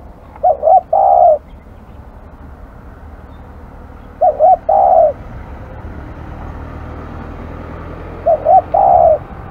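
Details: Aggressive spotted dove repeating its three-part coo, two short notes and then a longer rolling note, roughly every four seconds, three times over a low background rumble.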